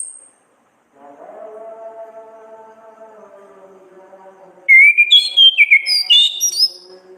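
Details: Orange-headed thrush in ngeplong gacor ngriwik style as a tutor recording: after several seconds of low droning hum, a loud rush of fast whistled and warbled notes jumping between pitches.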